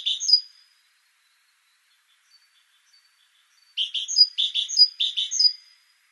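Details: Great tit (Parus major) song: a single high note, a pause, then a burst of rapid, repeated three-note phrases, bright and ringing.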